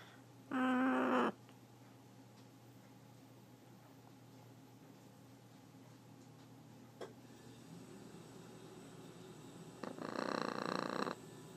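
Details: Indoor pet blue-and-yellow macaw giving two separate harsh, buzzy growls, each under two seconds, with a long stretch of quiet room hum and a single faint tap between them.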